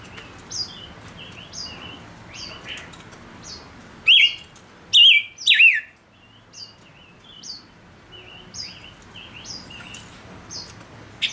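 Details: A male Gouldian finch sings as a decoy to draw others in. Steady high chirps are broken by several loud, twisting, whistled phrases in the middle of the clip.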